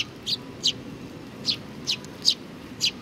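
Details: Sparrows at Tenmangu shrine, 4 July 2019, giving six short high chirps spaced about half a second apart over a soft steady background hum.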